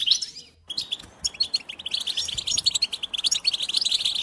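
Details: A goldfinch starts with one liquid note, pauses briefly, then breaks into quick tinkling twitters that grow denser and louder toward the end.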